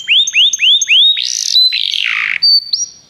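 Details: Song of Begie canaries meant for training: four clear rising whistled notes repeated about four times a second, then a harsh buzzy burst sliding downward, ending in high steady piping notes.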